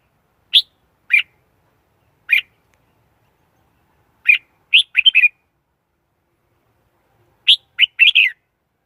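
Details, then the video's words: Red-whiskered bulbul with single clipped chirps and short bubbling three-note phrases separated by pauses, in a quiet setting. "Tiếng chim chào mào"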